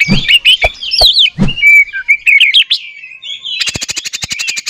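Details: Oriental magpie-robin provocation song, meant to set other magpie-robins singing. Loud low knocks open it, under high twisting whistles. A smooth, level whistled phrase follows, and it ends in a rapid buzzy rattle.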